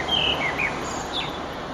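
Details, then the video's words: Eurasian blackbird song at sunset, 9 June 2011: a short run of clear whistled notes, one held, then slurred downward and upward phrases, all over a constant hiss. "Blackbird's Song"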